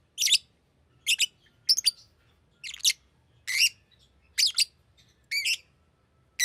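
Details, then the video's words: A green lovebird repeats shrill, buzzy chirps about once a second, each a harsh squeaky burst, some with a rising or wavering pitch, over a quiet background. "Green Lovebird Chirping Sound"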